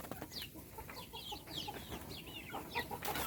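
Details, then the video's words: A brood of small chickens being fed cheeps busily, each note a short high slide downward, overlapping from several chicks, with faint clicks between. "صوت الدجاج // little chickens chirping SOUNDS"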